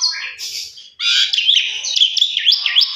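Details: Lure song of Asian pied starling, played indoors to bring on fast, varied singing: soft hoarse notes, a short silence, then a loud continuous stream of buzzy, warbling and scratchy phrases with wavering whistles.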